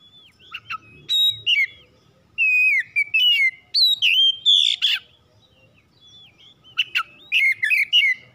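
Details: Oriental magpie-robin in a home setting, singing as a trigger for other birds: varied loud whistled phrases, sharp chips and slurred notes in quick succession, with a harsher buzzy note midway and brief pauses between bursts.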